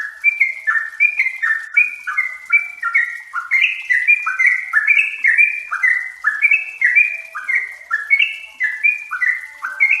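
Yellow-vented bulbuls chatter nonstop in bubbly, gurgling phrases of short rising and falling notes, several birds overlapping in a busy chorus with no other sounds.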